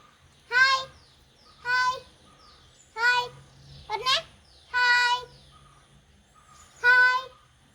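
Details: Pet parrot talking Malayalam with its owner: six voice-like, rich harmonic syllables spaced about a second apart, one with a sweeping rise and fall, in a quiet room with a faint hum.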